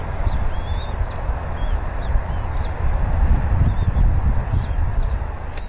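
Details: Female bald eagle feeding the eaglet at a Berry College nest camera, 20 February 2019, morning, the male having delivered a half-eaten fish: clear high whistled chirps, some falling in pitch, irregularly spaced, over strong low wind rumble.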